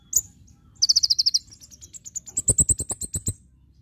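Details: Javan white-eye, full 'tembakan' song: one sharp chip, then a quick series of high rapid notes running into a bright string of evenly spaced piping notes.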